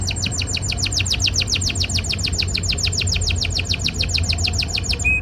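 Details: Singing canary in breeding season courting a female: a fast, continuous series of sharp descending sweeps, roughly six per second, repeated evenly for five seconds over a faint low rumble.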